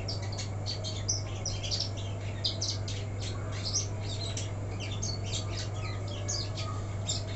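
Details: A caged black-throated canary (Crithagra atrogularis), left uncovered at night during drizzle, stays active and sings a fast, continuous twittering of high chirps and trills over a steady low electrical hum.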